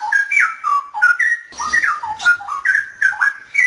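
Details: Short burst of straw-headed bulbul song, edited to remove noise, with rich rising and falling whistled notes in quick bubbly phrases and a slight rustle midway.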